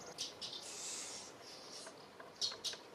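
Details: Eurasian crag martin at Penha Garcia, Portugal, giving thin, high chirps in short bursts, a few close together, then two sharper chips near the end; faint background hiss.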